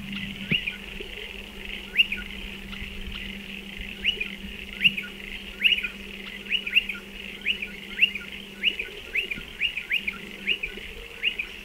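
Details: Striated pardalote, nesting in burrows dug into a dry stone wall, giving sharp, high, clipped notes, repeated about once a second and quickening toward the end, over a faint low hum.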